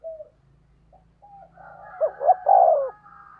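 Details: Spotted dove decoy coo in the 'thúc gù' style, 'thổ đồng' voice: soft, scattered notes over a low hum build into one loud stuttered phrase ending in a long hoarse coo.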